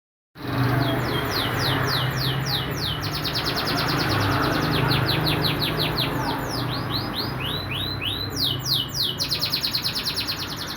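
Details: Canary singing in rapid series of high, thin, down-slurred notes, repeated trill-like many times per second in bursts, over a steady low rumbling background noise.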